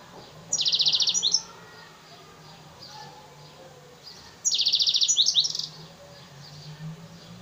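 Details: Caged F1 African singer × Mozambique serin hybrid from Souk Ahras, Algeria, delivering two short high trill bursts about four seconds apart, each a rapid string of repeated notes ending in a twittering flourish, with a low hum behind.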